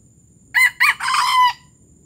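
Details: Palembang junglefowl crowing in the gerabas style. Two clipped, hoarse syllables are followed by a longer buzzy stretch that fades out at the end. The crow is clear and close, with little else audible.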